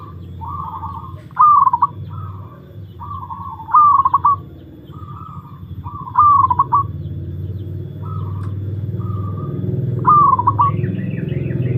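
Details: Zebra dove (perkutut), kept a long time and undergoing a mental test, repeats loud cooing phrases about every two and a half seconds, each a high note rolling into stuttered coos. Softer coos come between the phrases, over a rising low rumble.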